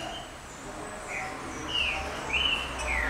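A Green-winged saltator gives four or five short, clear whistled notes, some slurring downward, over a steady low rumble.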